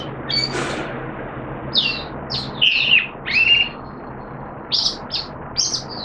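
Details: Oriental white-eye kept caged, recorded 13 September 2022 on its second deworming day, utters separated high chirps and a few longer slurred whistled notes, with quiet gaps and faint low hum between.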